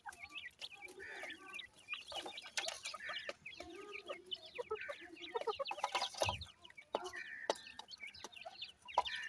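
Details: Grey francolin chicks, described as Iranian brown teetar and kept for breeding, chirp in dense overlapping bursts of short peeps over low soft clucking. Scattered knocks and a brief thump are heard midway.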